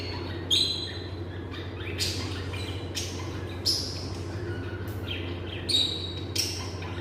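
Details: Shrill, brief chirping calls from lovebirds, spaced roughly every second or so, some with bright squeaky upper notes, against a constant low droning hum indoors.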